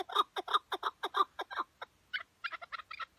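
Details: Tethered decoy chukar partridge calling during a hunt in Şırnak: a fast series of harsh, clucking chuk notes, about five a second, then a brief pause and a higher, quicker run.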